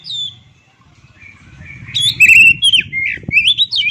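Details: Kacer, the oriental magpie-robin, singing a varied run of whistled notes that starts softly and grows into loud rapid slurred phrases with sharp upswept notes near the end, low rumbling background underneath.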